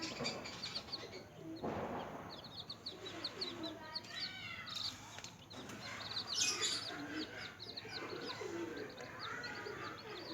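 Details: Newly hatched chicks feeding and playing, giving many thin, high peeps in quick runs, overlapped by some lower wavering sounds and occasional rustling.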